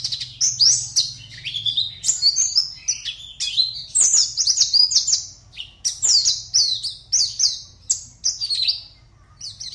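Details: Oriental white-eye entered in an online singing contest from Pontianak: long twittering song of high sweeping chirps in dense bursts, with a short lull before the final notes.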